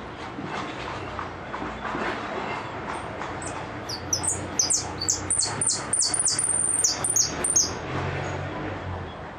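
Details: Goldfinch repique song starting softly, then breaking into a burst of loud, high, rapidly falling notes in fast succession before fading back to a quieter background.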